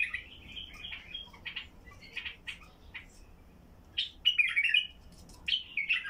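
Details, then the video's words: Deep-voiced Basra bulbul singing so that silent bulbuls join in: a fluty opening phrase, a run of clipped chips, then two loud liquid warbles. "تغريد بلبل بصراوي حنجره ثكيله لفتح البلابل القافله"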